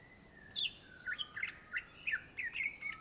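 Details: Greater green leafbird singing vigorously: a high descending swoop, then quick chirped and slurred whistles repeated several times per second, forming a bright, bouncing phrase.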